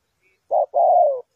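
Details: Spotted dove used as a decoy for trapping, giving one cooing phrase: a short hoarse note, a brief gap, then a longer throaty coo that slides slightly downward.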